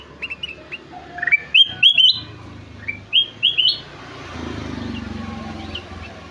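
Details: Golden-fronted leafbird in energetic song: sharp upswept whistles delivered in rapid clusters, then a low rushing background noise in the second half.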